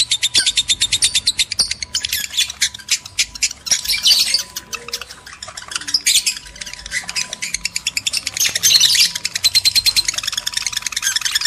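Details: Male and female lovebirds calling to prompt breeding; long runs of quick, high squeaky chirps with dense squawking bursts in between, steady faint tone behind.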